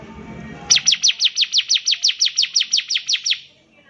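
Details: Long continuous bar-winged prinia phrase of about sixteen rapid, steady, sharp descending high chips, used to teach young birds their song; soft low noise just before it begins.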